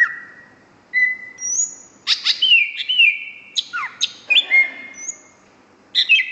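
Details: Greater green leafbird in full, prolific song: a long level whistle, then high thin notes, sharp descending slurs and chattering chirps in uneven bursts, clean with a quiet background.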